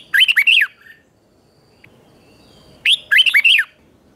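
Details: Red-whiskered bulbul singing in the morning in 2024, training song in the chè kích bổi style: two short loud bursts of rapid, bright warbled notes, each under a second, separated by about two seconds of near silence.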